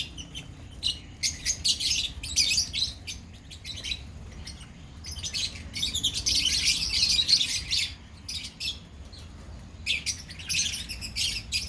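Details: In a lovebird colony, bursts of shrill chirping and squawky chatter come in clusters separated by quieter spells, the busiest stretch falling between the sixth and eighth seconds.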